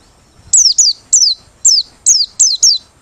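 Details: High, clear notes from a Merapi white-eye singing open-beaked, a song good for luring birds: seven quick downward-sliding whistles in a steady, evenly spaced series.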